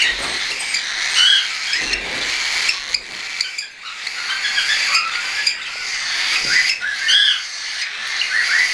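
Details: Chorus of tame young cockatiels, some independent feeders and some not yet weaned, flying, 10 September 2012; bright upswept chirps stand out now and then above a constant rushing murmur of many birds.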